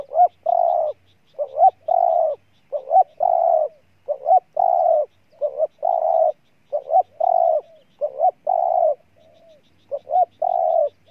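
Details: Spotted dove of Ninh Thuận, Vietnam, in an energetic cooing bout: many quick phrases of short lead-in notes and long, mellow coos, close together, about 45 per minute, with a single soft coo near the end.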